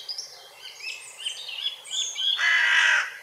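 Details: Hooded crow uttering a single drawn-out, hoarse, grating caw at the end, preceded by a busy background of thin, high chirps and trills from other birds.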